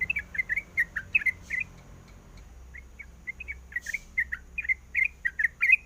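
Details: Female sooty-headed bulbul calling the male while in breeding condition: bursts of bright chirped notes, a pause of about a second, then the chatter resumes and grows louder.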